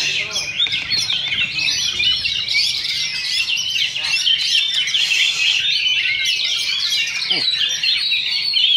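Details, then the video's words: Contest duel of Oriental magpie-robins, session 2 of a Sunday practice event in Sindanglaut: a dense, unbroken flow of high warbles, sharp chips and whistled slides from overlapping singers. "Oriental Magpie Robin Singing Contest"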